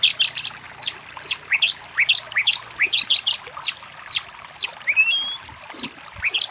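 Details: Oriental magpie-robin song aimed at getting a lazy bird to respond: repeated high, downward-hooked whistles mixed with clipped chirps in irregular bursts, plus one long level whistle near the end.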